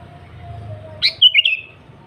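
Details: Sooty-headed bulbul in energetic song: after a stretch of low hum, one quick phrase of an upswept note and three bubbly whistles sliding slightly downward.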